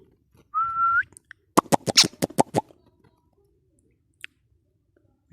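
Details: Indian ringneck parakeet, a talking bird: opens with a clean whistle that climbs gently and then rises sharply at the end. A burst of seven rapid, rasping, speech-like syllables follows, then near silence with faint clicks.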